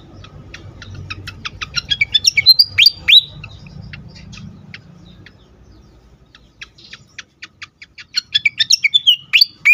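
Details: Agitated fantail used to lure and stimulate other birds: a quickening run of sharp, dry ticking notes leading into high squeaky, sliding whistles, pausing, then the ticking series and whistles repeat, with faint low rumble beneath.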